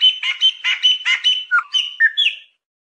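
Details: Chopi blackbird song in natural surroundings: a fast cluster of full, throaty chirps followed by a few drawn-out slurred whistles, then silence.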